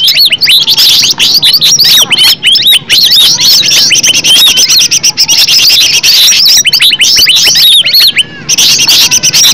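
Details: Green leafbird song, presented as a natural recording used as a lure to set other leafbirds singing: a dense, nonstop stream of quick high whistles, sharp upslurred and downslurred notes and chattering trills, with hardly any pauses.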